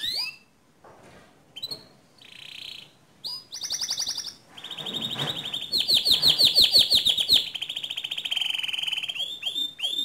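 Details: Singing canary, used as a training model for other canaries: varied phrases of high whistles, buzzy held notes and fast rattling trills, with short pauses between phrases.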